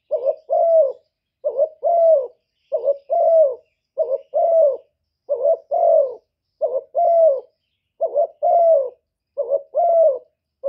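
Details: Decoy spotted dove giving gáy gù coos to stir other doves into calling. About eight hoarse, low phrases follow steadily, each a quick double note then a drawn-out descending coo. The background is quiet.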